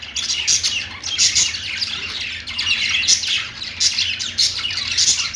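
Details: Pet budgies chirping together on a perch, an unbroken busy stream of high twittering, scratchy warbles and short sharp tweets from several birds at once, steady in loudness with small surges, faint low background hum.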